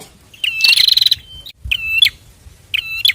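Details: A pair of bar-winged prinias singing, used as a master recording to train other birds and to prompt silent birds to sing: bright, high chirping trills in three bursts, the first dense and rapid, then shorter twittering phrases.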